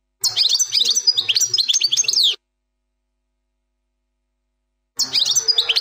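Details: Two bursts of 'plak mine' goldfinch song: dense, high, twittering notes and quick downward slurs delivered at a fast tempo, with a long silent pause between phrases.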